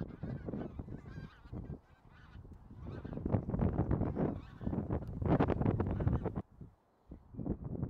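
A flock of bean geese calling together, with deep, nasal honks overlapping in a steady clamour of about three or four calls a second.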